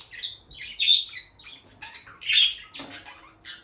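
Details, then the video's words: Loud, squeaky chirps and short shrieks from a bonded peach-faced lovebird couple by the nest box, where the female has been going in and out; no talking or music. "Parrot Chirping Sounds – Relaxing Lovebird Couple Vocalizations"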